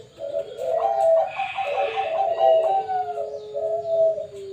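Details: Perkutut Bangkok zebra dove at a bird farm: a rich, continuous string of rolling coos ending in a long, level held note, with higher chirping from other birds alongside.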